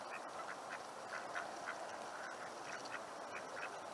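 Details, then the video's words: Mallard drakes in a Seattle neighbourhood giving faint, brief chirping notes, spaced about every half second, with a constant hiss in the background. "The sound you're hearing is mallard drakes chirping."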